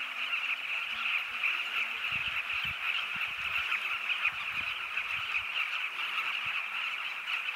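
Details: Southern Carmine Bee-eaters massed at their breeding colony along the Zambezi River: an unbroken wall of many birds calling at once, a busy overlapping chatter, with scattered low thumps and knocks beneath.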